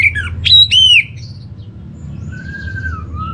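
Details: Orange-headed thrush, kept bird in North Bali, singing a lure phrase: a few loud harsh slurred whistles, then quieter long drawn whistles over low hum.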